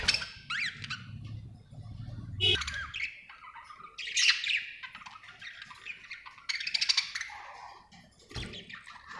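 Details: A happy budgie chirps in scattered bursts of sharp, squeaky notes and rasping squawks separated by short quiet gaps, with a low hum underneath at the start.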